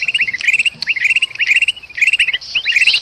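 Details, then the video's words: Bulbul in an agitated, distressed state, from Sumatran forest, used as a bird lure. It gives fast strings of short hooked chirps in quick clusters, broken by brief pauses, with a faint raspy hiss above. "suara kutilang emas ribut sama kutilang kejepit paling ampuh pikat burung"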